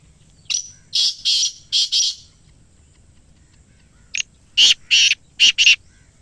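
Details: Black francolin call, played to captive francolins to get them calling: two harsh, grating phrases of four to five loud, buzzy notes each, separated by a pause of about two seconds, against a quiet background.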